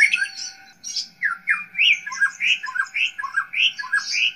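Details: White-rumped shama song played as a tutor recording for training young wild-caught birds: a lively run of varied whistled and chattering notes, sliding up and down, delivered in quick bursts about twice a second, with a faint steady hum beneath.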